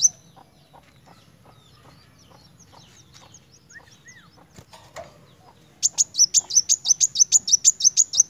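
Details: Van Hasselt's sunbird (kolibri wulung) singing loudly in the narung style: after several quiet seconds of faint, scattered notes, a fast run of sharp, high chips begins, repeated about three times a second until the end.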